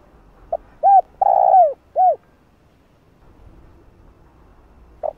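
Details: Spotted dove calling coo, played to excite a decoy bird in training: one full low phrase of short hoot, arched coo, long drawn coo and arched coo, then quiet, then the first hoot of a new phrase.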